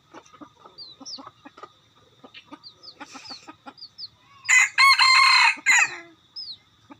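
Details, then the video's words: Crowing decoy cock used for luring: one loud, rough, drawn-out crow of roughly one and a half seconds. Thin, high, short whistled chirps from small birds and soft clucks are heard around it. "Gà mồi. Qaib dib cuab tuaj zoo"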